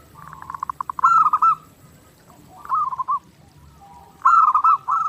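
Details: Zebra dove's clear, persistent song for training: a quickening run of soft pulses, then loud gurgling cooing phrases repeated three times with short pauses between them.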